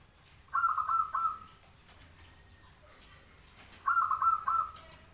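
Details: Local zebra dove in full song gives two stuttering, bubbling coo phrases about three seconds apart. Each phrase is a quick run of low pulses that trails into a steady note.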